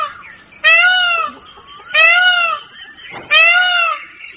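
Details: Three loud, wailing peacock calls from an Indian peafowl, with a peacock also flying, each call a nasal arching cry about half a second long, repeated roughly every second and a half over a thin high insect hum.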